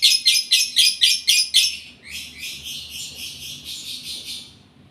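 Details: Lovebird in breeding condition chirps rapidly, about four sharp notes per second, then slides into a softer, continuous buzzy twitter that fades out.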